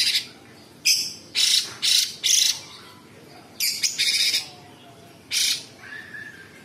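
Sooty-headed bulbul giving loud, harsh, hissing rasps in short bursts, several close together, then gaps of a second or more. A faint softer note is heard between them.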